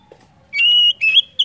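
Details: Oriental magpie-robin song used to prompt other birds to sing: a sustained pure whistle, then two short slurred whistled phrases, all high and clear over a faint low hum.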